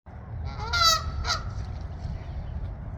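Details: Canada goose honking near a pond: one loud harmonic honk followed by a shorter second honk, then steady low background rumble.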